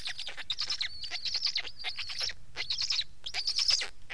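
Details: Black stork giving a hissing, whistled chatter, a sustained burst followed by two shorter clusters after brief pauses.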